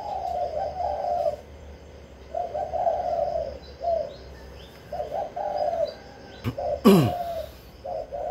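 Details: Spotted dove kept as a decoy bird that sings readily to provoke rivals, giving low hollow coos in repeated phrases, with a sharp knock and a brief burst of noise near the end.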